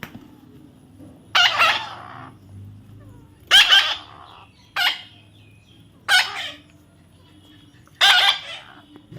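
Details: Young parrot during taming, uttering five loud, grating screeches roughly every two seconds, each short and noisy, separated by near silence and faint low hum.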